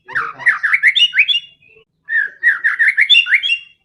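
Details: White-rumped shama in fighting mood, used to provoke other birds: two bursts of fast, chattering, rising and falling warbles, each around one and a half seconds, split by a short silence.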